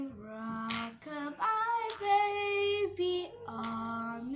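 A high, childlike voice sings a few sustained, wavering notes indoors, with no animal calls heard.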